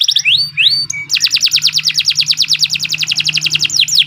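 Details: Canary singing a long, continuous song, used as training material for young birds: two rising whistles, then a long, fast trill of high repeated notes at about three per second.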